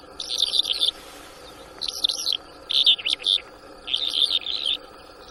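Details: Newly trapped Bimaculated Lark in Shamani, Lakki Marwat, recorded 6 March 2024: bursts of high, twittering, chirpy phrases, each under a second, separated by short pauses, with a faint rushing sound between them.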